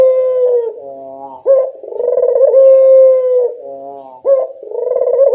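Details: Local puter dove voice used as a lure to draw responses from other birds: a steady, mid-pitched rich coo with a sharp rising note between long held phrases, in a clean recording with no other sounds.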